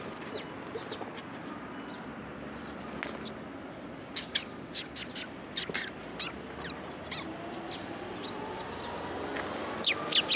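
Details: Sparrows coming to a post for food at a Tenmangu shrine on 1 February 2023: scattered short, sharp chirps, clustered mid-way and again at the end, over steady outdoor background noise.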